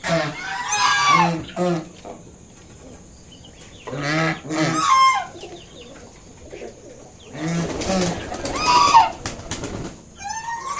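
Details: Kept swan mother honks at an intruder near her five just-hatched cygnets: separated clusters of harsh, nasal honks with quieter gaps between them.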